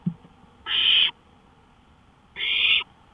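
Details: Porch owl at 1:53 AM on May 5, 2013; a faint low knock, then two harsh, noisy hiss-screeches lasting about half a second each, one and a half seconds apart.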